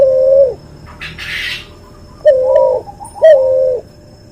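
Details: Cuhu dove, a hybrid of a white albino puter and a puter pelung, gives three steady mid-pitched coos about half a second long. A brief hissing rustle sounds between the first and second coo.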